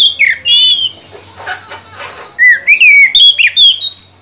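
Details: Oriental magpie-robin song used as a lure to get a silent bird singing: loud whistled phrases with sharp downslurs and rising slurs, a buzzy harsh burst near the start, a short quieter gap, then a rapid run of varied whistles.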